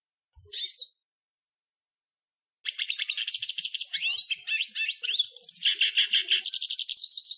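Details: After one short high chirp and two seconds of silence, a hooded siskin bursts into a varied twittering song with whistled upslurs and buzzy trills.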